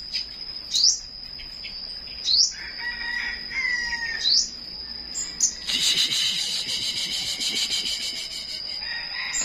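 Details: Morning song of a flowerpecker: quick high rising chirps about every one and a half seconds, a few lower whistled notes, then a burst of broad rustling noise, all over a constant shrill whine.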